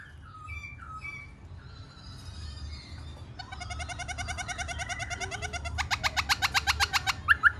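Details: Singing Black-throated laughingthrush, heard while it dances: quiet varied phrases give way to a long buzzy rattling trill, ending in a louder run of rapid harsh pulses that quickens and intensifies.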